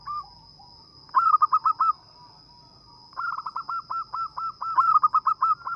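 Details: Zebra dove of local stock, recorded for use as a lure, giving quick runs of clipped, stuttering coos, one short phrase then a longer repeated series, over a constant thin high-pitched hum.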